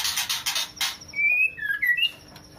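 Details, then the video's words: Female white-rumped shama calling a male while in heat: a few harsh rasps, then a drawn-out clear whistle and two short slurred whistled notes stepping upward. "Murai Betina Gacor full ngeplong memanggil jantan"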